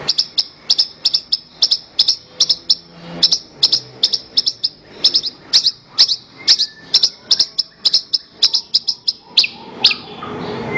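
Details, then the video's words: Horsfield's bush lark song used as master recording for training songbirds: a long, steady run of sharp, high chirps, mostly paired or tripled, about three per second, with faint low murmur beneath. "Ocehan Suara Burung Branjangan"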